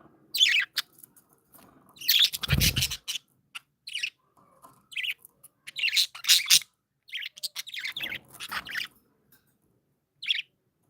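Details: Cheerful pet budgies give scattered bursts of scratchy, buzzy chirping and warbles separated by silences, with a low thump or bump heard early on amid the twitters.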